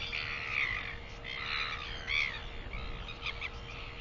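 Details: Northern royal albatross, 24 September 2021, giving grating, wavering calls: a long first note, then several shorter downslurred blasts and quick stuttered notes toward the end, set against wind and a faint steady hum.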